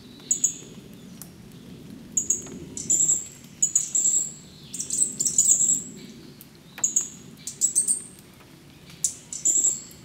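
Green-backed flowerpecker giving very high, thin, sharp ticking notes in short bursts about once a second, over a faint low background hum.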